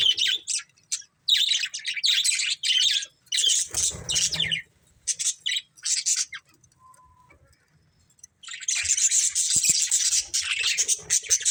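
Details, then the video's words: Budgies of one family chirp and warble in bursts, then fall quiet for a couple of seconds with a faint steady tone before loud continuous chatter resumes. "Cute Budgies Chirping Sounds"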